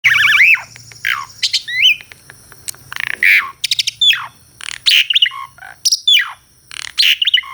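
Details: Asian pied starling, a kept songbird described as singing melodiously, recorded for real; loud varied song of warbled wavy whistles, harsh rasping bursts and clicking notes in quick succession, with a faint steady hum beneath.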